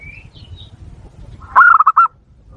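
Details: Zebra dove lure call for provoking wild doves. A single fast, bubbling phrase of mid-pitched coos comes near the end, after faint high whistles from another bird.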